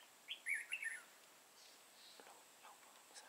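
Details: A lure red-whiskered bulbul with a dark bib sings competitively at a trapping site in Vietnam, 31 March 2018. One quick, warbled phrase of sweet notes is followed by faint distant chirps.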